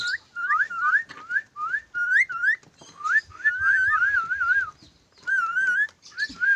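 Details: Clever pet lorikeet whistling a series of clear, tonal, upslurred and wavy notes, some run together into quick warbling trills, in short phrases separated by brief pauses; faint background noise between phrases.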